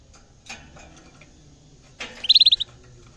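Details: Caged canary reacting on first seeing a camera gives a short, loud, rapid trill of about six high notes after a couple of soft clicks and rustles in an otherwise quiet room.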